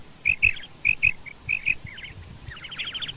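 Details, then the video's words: Calling quail, used by hunters as a lure: bright sharp notes given singly and in doubles, then a fading run of quick softer chirps, with a low rumble underneath. "Batair ke shukar k Liye | Behtareen Awaz | sound Of | Quail Bird's sound"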